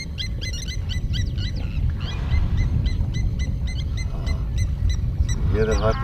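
Blacksmith lapwings give sharp, metallic 'tink' notes in quick series, like a hammer striking an anvil, over heavy low rumble and a man talking.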